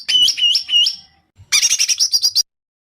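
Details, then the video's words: White-rumped shama in an Indonesian singing competition giving sharp besetan mimicry: four looping whistled notes, a short silence, then a fast burst of eight high raspy chips. "Masteran besetan tajam!Langsung dikunci para juri"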